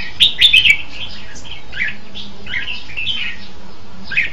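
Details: Red-whiskered bulbul opening with a clicky, bubbling warble, then softer slurred whistled notes that rise and fall, with a faint low hum behind.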